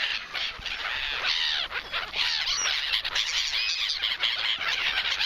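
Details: Flock of gulls over the Polish seaside beach, fighting over a piece of bread; dense overlapping harsh squawks and squeals, many birds calling at once without pause, with a steady background hiss.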